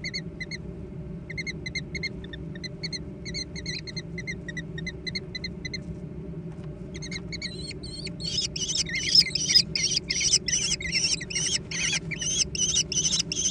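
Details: American kestrel; nestling calls; young competing with each other over food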